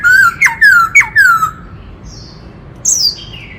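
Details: Forest white-cheeked laughingthrush in many-voiced song meant to provoke males: three whistles dropping sharply in pitch, each followed by a level trailing note, then high thin whistles after a short silence.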